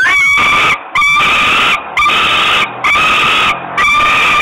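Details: Young common kestrels in Włocławek, Poland, begging loudly at the mother's arrival, June 2021; harsh, drawn-out screaming notes roughly once a second, separated by short silent breaks, very loud and close.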